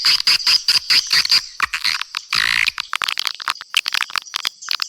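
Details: Swiftlet lure call used to attract swiftlets: dense rapid twittering chirps and clicks, high and buzzy, in quick irregular bursts with a longer harsh rasping burst near the middle.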